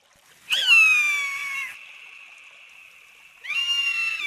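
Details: Eagle screaming, a sound said to serve communication and territory marking: a harsh, piercing, slightly descending scream trailing into a long steady tone, then a second shrill scream begins near the end.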